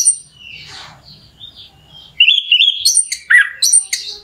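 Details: An orange-headed thrush sings as a lure to excite another bird into singing: a quiet opening of soft buzzy notes, then loud rising whistles and quick twittering high chips in a tumbling burst.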